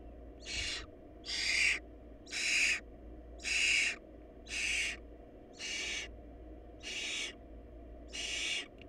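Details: A food-short barn owl brood with nestlings gives rasping, snoring hisses. Nine even bursts of about half a second each come roughly one per second over a continuous low hum.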